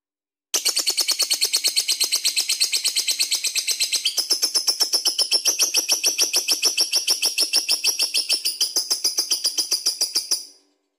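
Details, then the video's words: Lovebird in full ngekek song, a long unbroken run of rapid harsh chattering notes with buzzy high overtones, repeating fast for about ten seconds, recorded indoors in a small room. "Lovebird Gacor Bagus buat pancingan"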